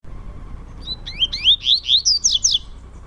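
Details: Double-collared seedeaters, two caged males indoors, one a trovoada-style singer, competing in song: a quick series of clear, rising whistled slurs that climb steadily higher, then end in bright chattering notes. A faint low hum runs beneath.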